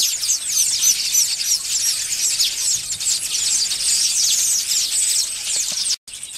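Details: Many village weavers at a nesting colony in African thorn trees, males displaying to females; rapid overlapping high chirps and sizzling chatter, with a brief cut-out near the end.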